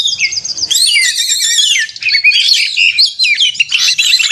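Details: Magpie-robin singing excitedly in 'konslet' fighting style, a recording used to provoke caged birds to sing: a run of repeated quick notes opens, followed by loud looping whistles and rapid mixed chirps.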